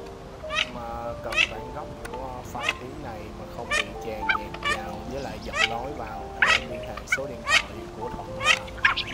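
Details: Mandarin duck pair, male and female, calling the flock as a night net-trapping lure in the 2023 migration season; many brief rising, squeaky calls in irregular quick series, laid over continuous musical tones.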